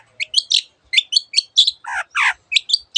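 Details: Long-tailed shrike in animated song, copying other birds: doubled high chirps with bright overtones, then two lower, rough, rasping notes, before the quick chirping resumes, around a hundred notes a minute.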